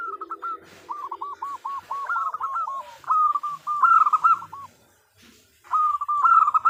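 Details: Female zebra dove calling for a male: an extended run of quick, evenly spaced coo notes followed by louder, rolling bursts and a final strong phrase after a short pause.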